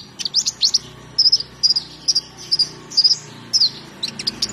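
A bee-eater gives short, rolling, high-pitched chirps, about two a second in loose bursts, over a faint low background hum.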